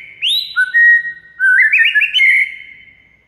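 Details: White-rumped shama song used as a tutor recording to make silent shamas start singing. Clear whistled notes rise sharply, then level off, followed by a warbling run of slurred whistles and a long sustained tone that fades away. The background is quiet.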